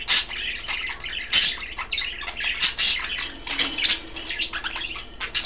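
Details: Caged budgerigars, three birds coloured green, blue and white, enjoying kale; continuous busy chirping with sharp clicks and short squeaky notes, several loud peaks of overlapping calls.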